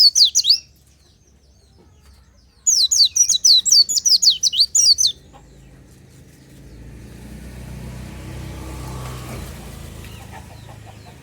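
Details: Oriental white-eye in the morning, a natural lure song: two quick bursts of high, falling twittering notes, followed by a growing low rumble of passing vehicles that fills the rest.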